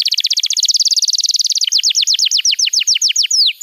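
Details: Canary master song for training young canaries: a quick high trill that slows into evenly spaced, sharply falling whistled notes, ending in one longer downward slur.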